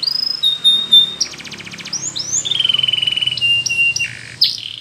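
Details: Spanish Timbrado canary training song: a clear held whistle, a quick buzzing rattle, then a long evenly pulsed trill and a sharp closing note, with low background hum.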